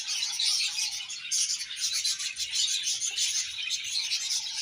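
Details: Budgerigar colony in a happy mood, giving a steady, thick chorus of shrill chirps and rapid scratchy warbling with no pauses.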